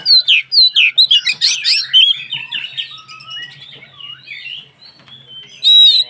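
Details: Energetic White-rumped shama song meant to provoke rival shamas: rapid whistled notes and scratchy chatter in quick bursts, tapering to softer warbles before a loud clear whistle at the end.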